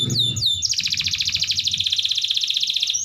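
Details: Canary in full song, meant to prompt hesitant canaries to sing: a few swooping whistled notes, then a long dense rapid trill held steady and bright for over two seconds, with soft low background hum.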